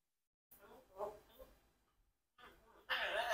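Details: A 4-year-old Congo African grey parrot asking questions in a few quick, human-like syllables, falls silent, then bursts into a louder, harsher phrase with a bright, squawky edge.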